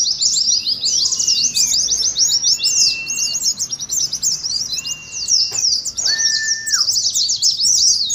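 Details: Oriental white-eye ngeriwik song as a lure and contest practice: shrill rapid twitter pours on unbroken while several long flat whistles, one lower and ending in a downward slur, sound beneath it.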